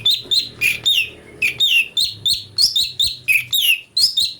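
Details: Singing brown-breasted bulbul, recorded to train magpie-robins: about a dozen loud, piercing chirps delivered fairly evenly, several with falling slurred endings, over a soft low hum.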